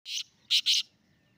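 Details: Black francolin calling from the top of a rock: a brief harsh note followed by two loud, rasping, broadband notes in quick succession, then quiet.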